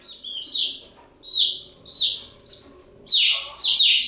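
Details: Chicks chirping, a few separate high falling peeps spaced out at first, then louder overlapping calls near the end over a soft low background hum.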